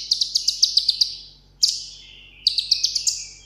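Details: A tabletop caged sunbird ('hút mật 7 màu') sings in contest style. Quick bursts of six to eight piercing chirps run together, separated by a single sharp note and a short pause.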